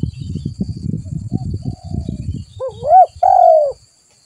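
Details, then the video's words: Spotted dove lure call to bring other doves close: low knocking and rustling at first, then a rising wavering coo and a longer smooth descending coo at the end. "Suara pikat burung tekukur"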